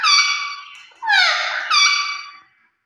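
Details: Pet parrot indoors giving loud harsh squawking, mimicked vocalizations, three drawn-out nasal calls with a falling slur, in a small room.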